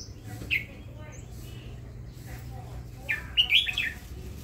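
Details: Red-whiskered bulbul kept in a cage as a songbird sings a brief chirp, then a longer tumbling run of clear warbled notes after a pause, with quiet room noise and low murmuring underneath.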